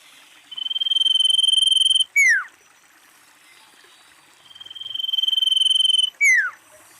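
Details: Female common iora lure call: two phrases, each a level, rapidly pulsed trill lasting about one and a half seconds that ends in a bright whistle dropping sharply in pitch.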